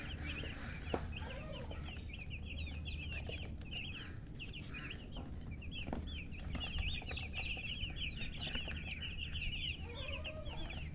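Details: A group of chicks chirps continuously, a thick band of rapid high peeps running for the full length, with a few lower notes near the end and a low steady hum behind.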